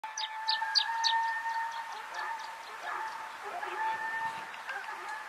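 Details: Canary Islands chiffchaff (Phylloscopus c. canariensis) on Gran Canaria, Canary Islands, Spain, in November 2022, giving a quick run of thin, high notes, about three or four per second, that fade out over a steady droning hum.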